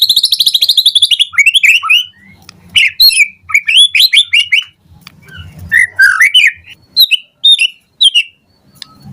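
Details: White-rumped shama in morning song, a lure meant to make other shamas respond and sing. A rapid buzzy trill leads into bright, sharply slurred whistles and twittering runs in quick, varied bursts.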